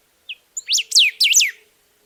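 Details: Golden-billed saltator singing a brief phrase. A soft introductory chirp leads into four bright, sharply descending whistles in rapid succession. No other sounds are heard.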